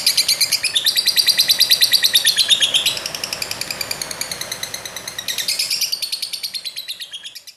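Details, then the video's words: High, rapid chattering from a lovebird, dense trilled chirps in quick bursts that briefly soften midway, then resume strongly before fading at the end. "BURUNG LOVEBIRD"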